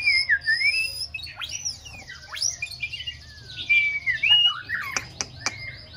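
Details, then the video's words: Young female white-rumped shama, six months old, practising its song with wavering whistles, steep swooping slurs, a chattering passage and several sharp clicks near the end. "Chòe lửa mái ổ tập hót"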